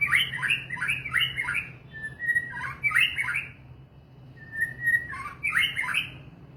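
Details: White-rumped shama (murai batu) pouring out quick bright warbling phrases, four in fast succession, then a lone level whistle, more phrases, a pause and another whistle-led burst; soft low hum throughout.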